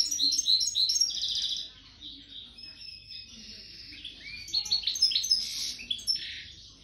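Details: A caged female European goldfinch, two weeks into moult, sings a fast, tinkling twitter of high, liquid notes and buzzy trills that runs on without pause over a faint low hum.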